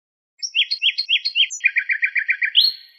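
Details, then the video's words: Nightingale singing a clear phrase: four loud repeated notes, then a faster rattling series of about eight shorter notes, closing with a rising whistle. Steady, rhythmic, no background noise. "شريط تغريد عندليب"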